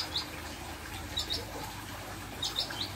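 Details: Bar-winged prinia, a released bird, giving short, sharp, high chirps in quick clusters of two or three, spaced about a second apart, over a low steady background rumble.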